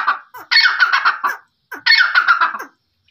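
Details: Quail calling in two harsh, rasping chattering bursts, each about a second long, separated by a short pause, with brief softer scratchy notes before them.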